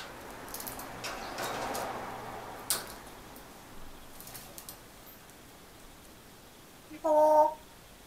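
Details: Grey parrot aged 1 year 5 months, practising speech during a holiday afternoon, says one short, voice-like word, likely "konnichiwa" (hello), with clear harmonics near the end, after several seconds of quiet room noise and soft rustles.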